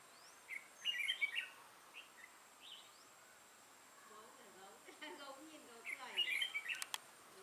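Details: Red-whiskered bulbul with a dark throat and bold bib, a decoy bird used for trapping, recorded 6 November 2018; short bright warbled phrases near the start and again near the end, with lower chattering from other birds and a faint steady hum.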